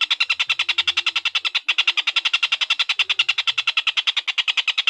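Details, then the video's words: Collared kingfisher (tengkek buto), recorded for training lovebirds: fast chattering series of grating kek notes around nine per second, with a very brief break near the middle before the rattle resumes at the same pace. "Suara tengkek buto durasi panjang"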